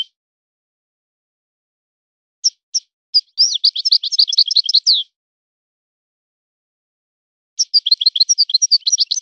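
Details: European goldfinch born in the wild, trained in a particular breeder's song style. A few isolated high chirps lead into a dense two-second twittering phrase, then silence and another rapid twittering run.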